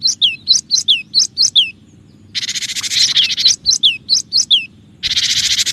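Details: Cinereous tit, a lively singer, in a lure recording used to attract other birds. Clear high whistled notes slur sharply downward, given in quick runs of about five, broken by two long bursts of harsh, hissing noise.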